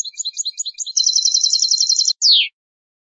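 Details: European goldfinch song for teaching young birds, from a tutoring CD by an Andalusian Hunting Federation master: scattered twittering notes lead into a fast, dense trill, ending with one drawn-out, downslurred, nasal note.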